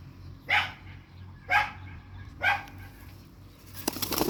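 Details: Indian ringneck parakeets in a fight: three harsh, raspy screeches spaced about one second apart, then a burst of rustling, flapping noise at the end, over a low steady hum.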